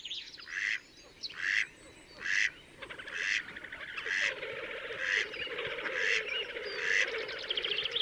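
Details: Wild Slavonian grebe in Latvia, Gavieze, May 2024: harsh squealing notes repeated roughly every second over a steady low murmur of other waterbird voices.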